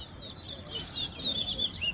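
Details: Chestnut-bellied seed finch, called towa towa, singing in a song competition between two birds at Soesdyke, Guyana; bright whistled notes sliding up and down in quick phrases, with faint background noise and murmured counting.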